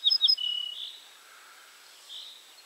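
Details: Ortolan bunting at Julków, 3 June 2017, giving a brief phrase: a few quick, bright high notes followed by a sustained lower whistle. Faint background birdsong follows.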